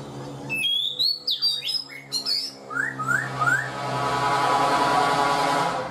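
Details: Caged black-throated laughingthrush, four months in captivity, gives rapid high whistles and down-slurred notes, then three rising whistled phrases in a row, fading into a steady hiss.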